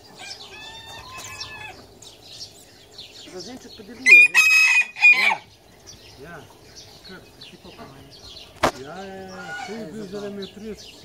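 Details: Small, docile Japanese Bantam rooster: soft clucks at first, then a short, loud, high-pitched crow with a harsh strained quality lasting about a second, followed by quieter clucking, a sharp click and low background murmuring.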